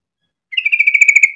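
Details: A single yellow-vented bulbul burst used to get other birds of its kind singing: about twelve rapid, evenly spaced notes rolled together on one pitch, slightly falling at the end.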